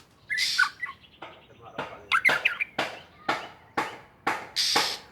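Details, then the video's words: Aceh white-rumped shama, described as wild, in loud song: a whistled phrase, then a series of sharp clicking, crackling strokes spaced about half a second apart over faint background noise. "Burung murai asal aceh | murai super gacor"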